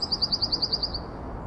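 A Eurasian wren sings a fast, high trill of about ten sharp notes in one second, fading toward the end, over a soft low rumble.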